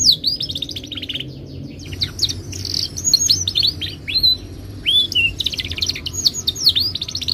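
A Timbrado canary sings a fast, varied stream of high trills, chirps and sweeping whistles with brief pauses. A low background hum runs beneath.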